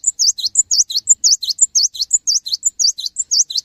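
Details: Cinereous tit in lively song, used to stimulate other tits to sing: a fast, steady run of high whistled notes alternating short flat pips with V-shaped swooping figures, about two notes per second, clean and loud.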